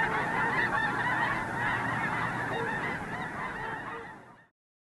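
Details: Wild geese massed at Squaw Creek National Wildlife Refuge, Mound City, Missouri, honking in a thick continuous chorus at dark overcast dawn before flying out to feed in nearby fields; the sound fades steadily and cuts off near the end.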